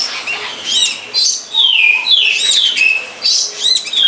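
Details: Wild long-tailed shrike near a longan orchard gives several long, smooth, falling whistles mixed with scratchy arched chips, in bursts separated by short pauses.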